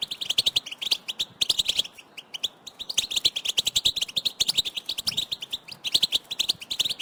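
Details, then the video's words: Excited goldfinch group batbata, calls birds make to signal location for mating and arousal; fast, high-pitched twittering in lively bursts, several voices overlapping, accompanied by frequent sharp clicking sounds. "اقوى بتبتة لاخراج حسونك من صمته"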